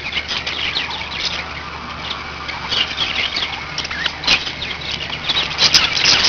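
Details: Budgerigars kept as pets give rapid, buzzy warbles and squeaky chirps that grow louder toward the end, with one sharp click midway, over a low background hum.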